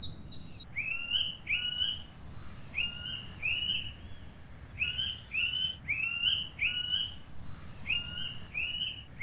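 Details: Middle spotted woodpecker (Dendrocoptes medius) giving nasal, squeaky notes that rise then drop, mostly in pairs, about a dozen in nine seconds, over soft hiss; old oak estate woodland at Singraven, East Twente, Netherlands; possibly phone playback to trigger a response.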